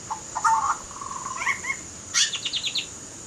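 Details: Butcherbird singing mellow low whistles and a short warble, followed by a quick descending series of sharp chirps.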